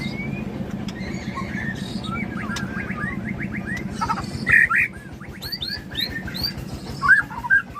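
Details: White-rumped shama of the Aceh type, Tangse line, delivering a run of rapid, wavering whistled phrases, then louder sharp chirps and short bright notes in bursts, with a continuous low hum beneath.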